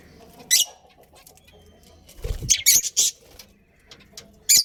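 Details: Budgerigars, a breeding pair kept in a colony, giving short harsh broadband chirps in scattered bursts, a quick cluster in the middle and single chirps near the start and end, with a soft low thump and quiet background.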